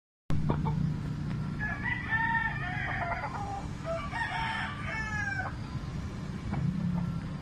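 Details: Roosters crowing, which is more often heard in the morning: a drawn-out harmonic crow in two phrases, with a low steady hum beneath and a soft cluck near the end.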